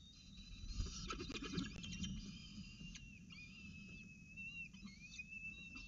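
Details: Peregrine falcons at the Orange CSU nest on 12 November 2019, an adult male bringing breakfast to the young: thin, harmonic, drawn-out whining calls, some rising, with soft scuffling and rustling below.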